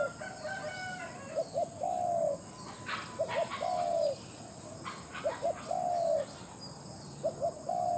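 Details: Spotted dove, a captive decoy bird with a big voice, calling in a rural setting: a repeated three-part coo, with a short double note followed by a longer drawn-out hoot, given about every two seconds, with faint chirps in the background.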